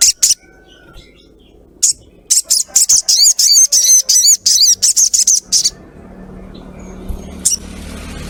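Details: Female crimson sunbird calling to a male, used to lure other sunbirds into calling: a rapid run of high, thin, sharp chirps, about three per second, with brief pauses between short bursts.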